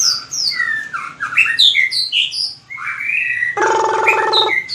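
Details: White-rumped shama recorded for training its competition singing: rapid varied whistled phrases leaping between high and low pitches, a run of slurred notes, then a harsh buzzy burst and more bright whistles.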